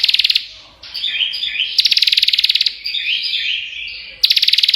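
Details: Singing prinia (prenjak): a rapid, rattling string of high clicks, then a warbling jumble of chirps, then another long rattle, the song running without a break.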